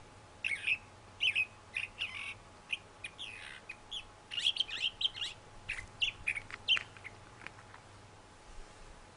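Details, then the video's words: Thrasher song of varied chirps and slurred phrases, densest in the middle, fading out over the last few seconds into quiet background. "Thrasher Singing"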